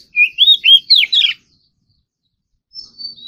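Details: Oriental magpie-robin in morning singing practice: five quick, bright whistled notes in rapid succession, a silent gap, then a few thin, high, drawn-out whistles.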